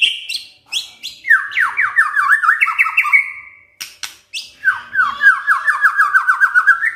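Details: Caged white-rumped shama singing a full, varied song with crackling rattles and sharp shots: rapid downslurred whistled notes repeated in fast runs, harsh buzzy bursts, a short pause, then another rapid rolling series.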